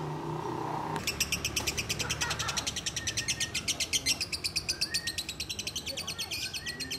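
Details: Lovebird being held, breaking after a second of quiet into a long, fast series of high, scratchy, pulsed chirps that run steadily on for several seconds.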